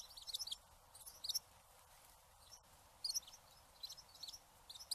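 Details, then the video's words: Eurasian tree sparrow giving scattered short, high chirps in small clusters separated by quiet gaps of a second or more. "trees sparrow"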